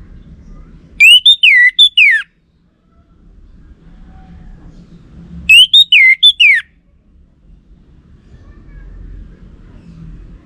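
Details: Orange-headed thrush lure song from North Bali, Singaraja, played to test whether a kept bird is male, since males answer: two loud bursts of clear, high whistled notes, several falling and slurred phrases each, separated by about three seconds of low hum.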